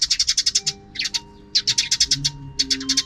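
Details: Noisy afternoon sparrows, some beyond the camera's view: rapid trains of sharp, bright chirps, about a dozen per second, broken by two short pauses, over a faint steady low hum.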